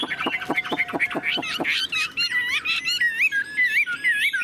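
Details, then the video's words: Caged, tame Chinese hwamei singing with its tail fanned: a burst of rapid harsh clicking notes, then a loud, varied run of rich whistled phrases that loop and slur up and down. "Họa mi thuần sách lồng hót, đuôi xòe, ngũ trường hót cao cầu"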